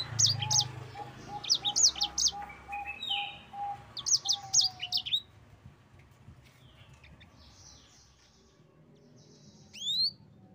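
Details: Yellow-fronted canary delivering a 'ngerol' song of sharp high whistled notes in quick bursts for about five seconds, while a lower whistle repeats steadily beneath; the song then fades out, followed by a quiet stretch and one final rising whistle.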